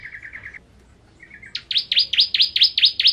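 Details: Ciblek kristal, the bar-winged prinia, in full ngentrok song: a soft, even trill of about six notes, a short pause, then a loud run of around eight sharp, high, downslurred chips.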